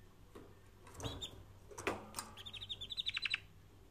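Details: Canary training song, recorded faintly: a few clicks and soft whistles, then a quickening run of bright repeated notes rising in loudness.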